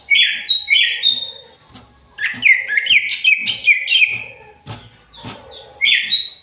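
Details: Lively greater green leafbird song, a chain of quick slurred whistles and chatters repeated several per second, broken by a few sharp clicks and a brief lull before resuming.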